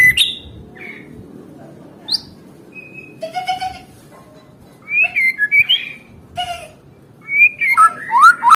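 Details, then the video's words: White-rumped shama singing, meant to prompt silent caged birds to sing: scattered clear whistles and short rising notes between pauses, then a quick burst of twisting whistled phrases, over a steady soft background hiss. "Suara Murai Batu Gacor"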